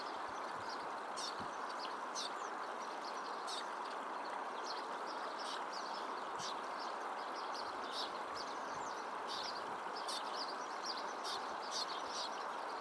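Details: A begging juvenile Tibetan Snowfinch follows its parent to be fed, giving thin high chips about one a second or faster over a rushing stream by cultivated fields, Mudh, Pin Valley National Park, Himachal Pradesh, India, 8 July 2021, with a flock nearby.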